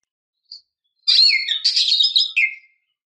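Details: Female oriental magpie-robin provoking a male to sing: a brief soft note, then a continuous rich warble of mixed chirps and whistles lasting over a second, ending on a lower slurred note.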